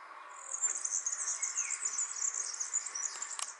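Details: Singing European serin, filmed without its knowledge: an unbroken, very high-pitched, glittering jingle of rapid buzzy twitters runs for over three seconds, with a brief lower slurred note partway through and a single click near the end.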